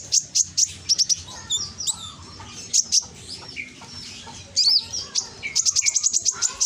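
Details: Scarlet-headed flowerpecker lure song recorded in Gresik, East Java, on a phone, meant to make quiet birds sing back: clusters of very high, sharp ticking chirps in rapid runs, separated by brief pauses and thin whistles.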